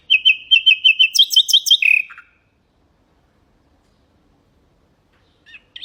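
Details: Nightingale song recorded to teach canaries and goldfinches: a quick string of about eight clear repeated notes, then a harsh rattling burst and a falling slur, silence, and a faint phrase starting at the end.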